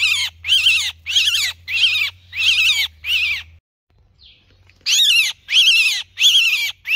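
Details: Myna giving harsh, raspy distress screeches calling to its flock, about one and a half each second, with a short pause midway; a low hum runs underneath at first.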